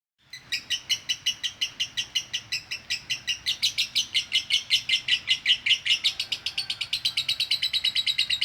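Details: Female lovebird in konslet-style chattering, used as training audio: a fast, even run of bright, buzzy chirps, nearly three per second, with no break and the loudness swelling slightly over the run.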